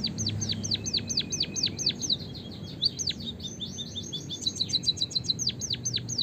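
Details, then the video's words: Lively white-headed munia chirping, offered as a lure to make birds sing: repeated high notes sweeping steeply down, several per second, with overlapping ticking phrases that suggest more than one caller, over a low hum. "suara kicauan burung emprit kaji gacor"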